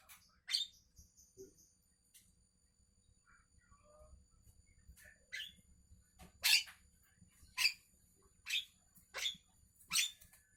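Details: Javan myna in the morning giving harsh, noisy, scratchy bursts, short and irregularly spaced, about seven in ten seconds, with a steady low rumble underneath.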